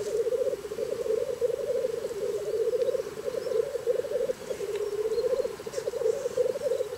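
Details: Black grouse in Scotland on a very cold morning give a steady, low, dove-like bubbling, rolling on without pause and swelling and fading in waves, with a faint rushing background.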